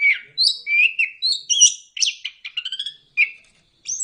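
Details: Orange-headed thrush (anis kembang) singing in the ngeplong style, a recording meant to coax reluctant kept birds into song: a rapid, varied run of whistles, slurs and short chattering notes, jumping between low and high pitches with hardly a pause.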